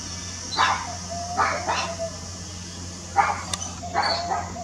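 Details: Red-winged parrot hanging upside down while feeding on mango: harsh, raspy squawks in uneven pairs and singles, about four calls over several seconds, against a steady low background hum.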